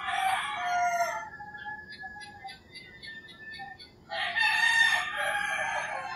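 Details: Crowing roosters in rural Philippines at dawn: a harsh crow fades out, thin whistled calls from smaller birds fill the gap, then a second loud, scratchy crow starts after four seconds.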